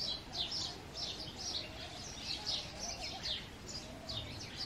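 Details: Male house sparrows chirping loudly during the breeding season: a dense chorus of short, bright chirps overlapping throughout, several birds calling at once over a steady low background hum.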